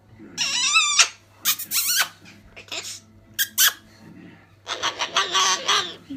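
A cockatoo imitates human speech in raspy, high, squeaky phrases, several short bursts over six seconds, with a low steady hum behind.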